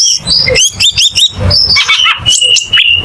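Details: Cucak keling song: rapid chattering chirps and twittering notes, then a sustained level whistle with small wavers, in a dense, fast phrase.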